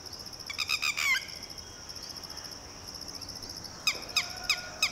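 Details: Red-wattled lapwing (Vanellus indicus), a mother in panic with newly hatched chicks as a Shikra swoops low overhead, gives sharp, ringing alarm calls in two quick bursts, warning the chicks to stay still, over a steady high insect drone.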